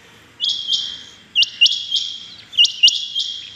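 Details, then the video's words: A rain quail calling in the morning, 6 July 2021: three phrases, each a pair of sharp, high metallic notes, about every one and a quarter seconds. "Amazing rain quail sounds 6.7.21 | today rain quail calling | آج صبح کی چنگی بٹیروں کی زبردست آوازیں"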